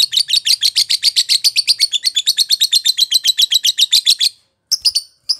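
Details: Champion lovebird singing a long, fast chattering trill of rapid harsh, buzzy notes for about four seconds. The trill stops abruptly, followed by a few short chirps.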